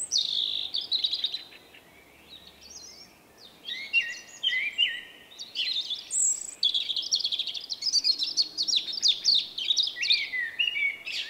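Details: A shy male Common Blackbird with an unusual personal song, recorded 30 March 2024, delivers dense high warbled phrases with twittering flourishes, nearly continuous with a brief pause near two seconds.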